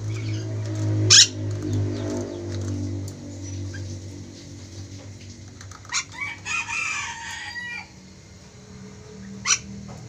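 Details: Vocal ornate lorikeet from eastern Indonesia gives a loud harsh shriek, then bursts of scratchy chattering and two more screeches, over a steady low mechanical hum.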